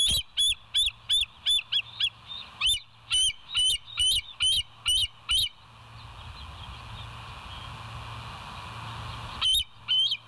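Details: West End bald eagles on a nature live cam, 28 August 2023, 07:02. A fast run of about thirteen shrill, squeaky notes, then a stretch of quiet hiss, and two more piping notes near the end. A faint low hum underneath.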